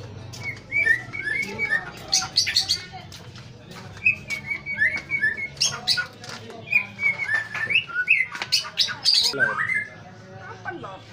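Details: White-rumped shama of the pastol type singing in the morning: a rich, varied run of whistled phrases around two kilohertz mixed with sharp chirps and high ticking notes, delivered in bursts with brief pauses, over a faint low hum.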